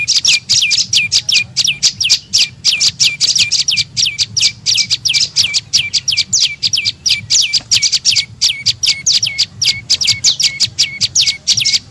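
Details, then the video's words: Tailorbird (prenjak lumut) call used as a lure to attract birds: fast, steady train of high, sharp chirps, each dropping into a short lower hook, repeated about four times a second throughout. "SUARA PIKAT BURUNG PRENJAK LUMUT PALING AMPUH"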